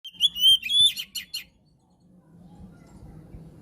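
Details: Oriental magpie-robin (kacer) in prolific 'gacor' song, used as a training and trigger recording for birds that have stopped singing. A rapid series of bright, high whistled notes lasts about one and a half seconds, then quiet low background hum.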